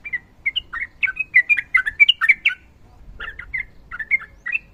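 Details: Sooty-headed bulbul in ropel song, a run of bright slurred whistles and chirps building into a dense burst, a pause, then looser warbled notes.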